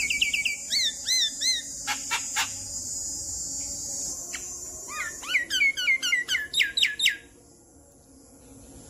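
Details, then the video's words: Adult Javan myna calling vigorously, used to lure other Javan mynas into answering. Paired bent whistles over a steady high hiss, a few sharp clicks, then a dense rapid series of arching whistled and clicking notes before falling silent. "Pancingan Jalak Kebo Dewasa Gacor Bikin Jalak Kebo Apapun Cepat Nyaut"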